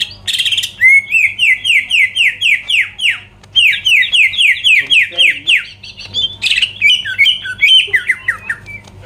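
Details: Greater green leafbird song meant to trigger rival birds: rapid series of ringing downslurred whistles, roughly four per second, in two long runs, opening and closing with brief harsh rasping notes.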